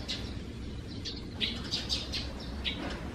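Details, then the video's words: Sparrows nesting in a hole in the gutter under the eaves, noisy every morning, recorded 3 June 2020: short, high, scattered chirps over a steady low rumble. "[참새]지붕 처마 아래 참새 집(sparrow house under eaves)."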